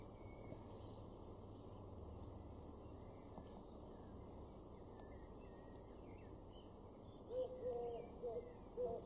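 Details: Eurasian collared dove in a garden in Weener, East Frisia, northwest Germany, June 2022, giving a few low, hollow cooing notes near the end, over steady background hiss with faint, high chirps of other small birds.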